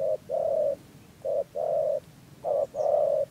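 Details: Trapping-lure spotted dove, Dak Lak, Vietnam, rùng gù cooing style: three pairs of low hollow coos, each a short clipped note then a longer sustained tone, evenly spaced.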